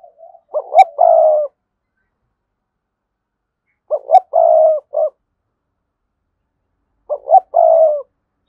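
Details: Spotted dove kept as a decoy bird with a strong, lively voice, cooing three phrases about three seconds apart; each has two short clipped notes, then a long, steady, low coo and a short closing note, in quiet surroundings.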